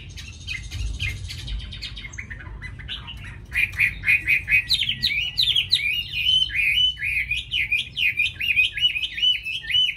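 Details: Tame Chinese hwamei known for its fine voice: soft, scratchy notes at first, then a loud, fast series of repeated rising-and-falling whistled phrases, about two each second.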